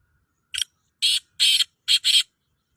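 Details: Black francolin calling: a loud phrase of five harsh, rasping broadband notes, a short opening note then two longer grating notes and a quick closing pair, over about 1.7 seconds with silence around it.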